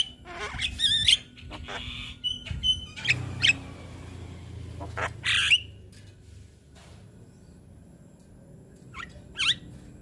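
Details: Young Javan myna singing as a tutor recording for other young birds to copy: scattered harsh squawks and sharp whistled notes with quiet gaps and low background rumble.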